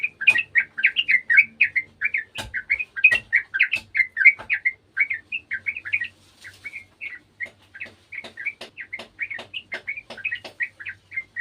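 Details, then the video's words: Sooty-headed bulbul of gardens, responding to an untrained bird: loud, rapid, chattering run of bright whistled notes, roughly three or four per second, continuing without break, with a few sharp clicks mixed in. "TRUCUKAN KEBON ikutan bunyi burung trucukan bahan"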